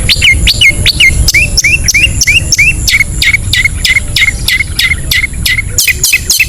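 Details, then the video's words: Ngetet sound of a long-tailed shrike, played to rouse reluctant caged shrikes: fast run of hooked, dropping whistles with sharp clicks, around three per second, ending in harsher bursts, over constant low noise. "SUARA CENDET NGETET"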